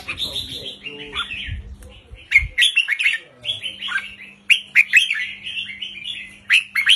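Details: Caged red-whiskered bulbul song, short phrases in a counting style of 3-4-5 notes, played to excite other caged birds; bright warbled notes around mid-high pitch with sharp clicks, a steady low hum and faint background rumble.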